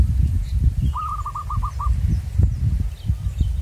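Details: Wild local zebra dove at a luring site: a single phrase of about seven quick, evenly spaced cooing pulses lasting about one second, set against gusty low wind noise.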